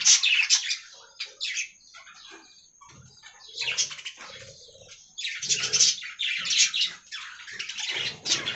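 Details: Aviary budgerigars chattering in waves, strident high warbled bursts alternating with quieter stretches of thin twittering, plus faint low knocks.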